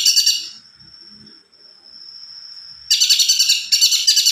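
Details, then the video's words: Caged cucak kombo in full song, delivering a long sustained roll: dense, rapid buzzy trills at the start, a long steady thin whistle held for about two seconds, then loud harsh rattling bursts resuming. "burung cunkok gacor.rol pjang"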